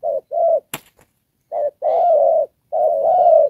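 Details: Spotted dove decoy for trapping, cooing đồng pha style with rước and kèm: short-long hollow coos, a sharp click after the first pair, then two pairs with long, sustained second notes.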